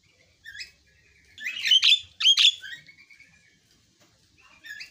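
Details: Javan myna giving a few squeaky whistles and two loud, harsh, scratchy phrases, separated by quiet gaps.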